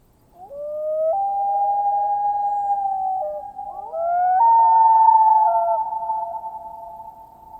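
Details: A Common Loon gives its long, mournful wail, echoing through the forest on a windless night. Its sustained, hollow notes step and slide upward, easily mistaken for a wolf's cry, with no other sounds.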